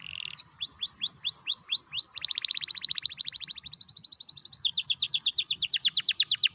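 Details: Energetic 'ngerek' canary song meant to coax canaries to sing: a low buzz, a run of upward-curving whistles, then two long fast trills of clipped notes at different pitches.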